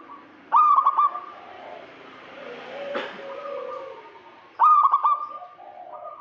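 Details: Zebra dove, local type, calling to draw a rival. Two loud trilled coos about four seconds apart stand over a hissy background, with faint low cooing between them.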